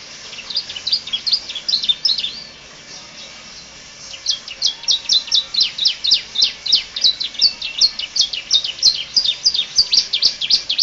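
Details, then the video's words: Canary with a full, varied song meant as a tutor recording for other birds; opening burst of high chirps, a brief quiet gap, then a long run of fast, evenly repeated sharp notes, about three per second. "Burung kenari ful isian cocok untuk masteran"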